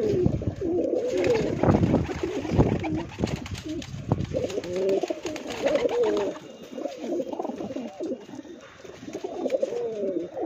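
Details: Pigeons for sale, with bursts of scraping and clattering at the start, then a run of overlapping low, rolling coos from several birds.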